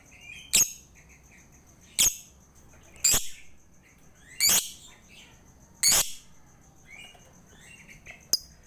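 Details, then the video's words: Lovebird, a lure to stimulate a lazy lovebird to sing: harsh, shrill chirps repeated irregularly about once a second, some doubled, with soft twittering between bursts over a constant high hum. "PANCINGAN UNTUK LOVEBIRD MALAS BUNYI"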